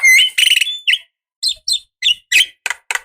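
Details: Decoy call of a female Javan myna to a male: a loud harsh opening note and quick chatter, then short raspy notes repeated at irregular intervals.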